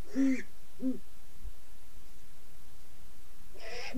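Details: A great horned owl of a pair gives deep, soft hoots: two in quick succession, then a pause of about three seconds before another, over a low steady background rumble.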